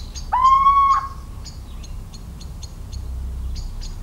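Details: Little owl, central France countryside, 17 March 2019: a single loud, rising, slightly nasal whistle of about 0.7 seconds, a faint tail after it, and a backdrop of repeated sharp high ticks.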